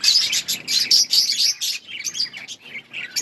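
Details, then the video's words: Budgerigars chirping in an outdoor colony, bright rapid tweets in quick clusters at first, easing into softer scattered warbles and chirps. "Budgies chirping sounds in outdoor budgies colony"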